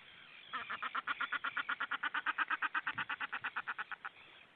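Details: Common shelduck at Hyljes, Estonia, on 16 May 2018; a fast, evenly paced series of about twenty-two short nasal, cackling notes over three and a half seconds, steady in pitch, fading slightly at the end.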